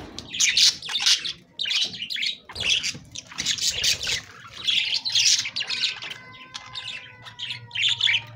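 Budgerigars chatter with bright, scratchy chirps and warbles in overlapping bursts.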